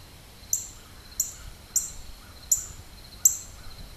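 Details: Red cardinal in Maryland, October 2012, repeating short piercing chips about every three-quarters of a second against a constant high background drone.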